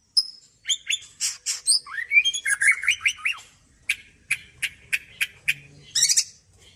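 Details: After its bath, a white-rumped shama delivers fluent song: sweet rising whistles and warbled phrases, then a series of short, sharp notes spaced about every half second, ending in a buzzy flourish.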